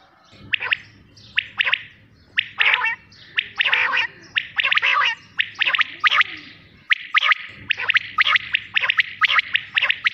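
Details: Quail producing a long string of sharp chirps and harsher, buzzier note clusters in irregular groups, with a short silent break midway.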